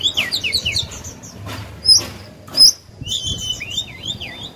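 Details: Oriental magpie-robin kept in a cage as a singing decoy for other birds. A few twittered whistles open the recording, then loud clicks and knocks, then a run of wavering whistles at the end.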